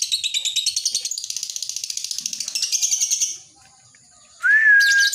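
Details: Lovebird in ngekek chatter: a rapid pulsed high rattle for about three seconds that fades out, a short silence, then a loud clear whistle rising and levelling off.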